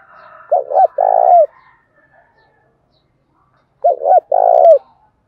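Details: Spotted dove cooing in the Đồng Thổ voice to draw a rival male into calling: two phrases, each a quick wavering double coo followed by a long buzzy coo that bends downward, a few seconds apart.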